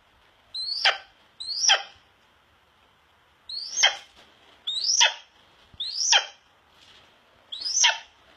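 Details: A captive male Harlan's red-tailed hawk, calling as he is about to eat, gives six hoarse, high screams that slur sharply downward, each under half a second, at uneven intervals over a steady background hiss.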